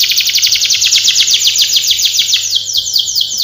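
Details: Canary singing a long, rapid rolling trill of downward-sweeping notes that slows toward the end, bright and high, over a faint steady hum.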